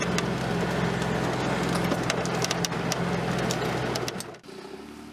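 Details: Steady broadband rumble with scattered crackles and clicks, which drops sharply near the end, with no animal voice heard.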